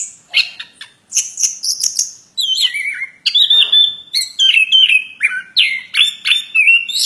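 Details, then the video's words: Plontang bird delivering an energetic song of scratchy high chirps that gives way to clear whistled phrases dropping and rising in pitch, strung together almost without break. "Burung Plontang suara mantab"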